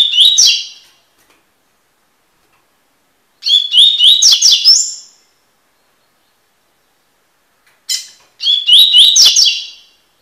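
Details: Double-collared seedeater giving its tui-tui tutoring song: three quick bursts of loud, sharp chirped whistles, each ending in a higher, drawn-out note, repeated every four seconds in a quiet room.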